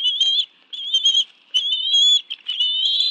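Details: Bald eagle at a nest at the National Arboretum in Washington, D.C., June afternoon, adults bringing fish to two young for a family meal; high thin whistled calls in about four drawn-out phrases, each roughly half a second, separated by short gaps.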